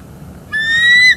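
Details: Bald eagle pair at a northeast Florida nest, caught on a live nest camera on 27 December 2021 during a morning mating break: one clear, rising, whistled note held for about half a second.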